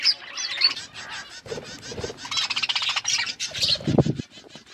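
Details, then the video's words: Budgies chirping during feeding: busy, buzzy chatter and short squeaky notes run almost without a break, with thuds and clicking sounds from the eating in the background. "Birds eating food budgies chirping sounds"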